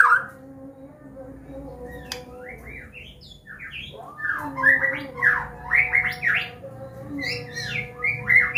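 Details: White-rumped shama of the Medan type, a combination song used to train young birds: quiet start, then a lively string of varied slurred, rising and falling whistled phrases over a faint steady hum.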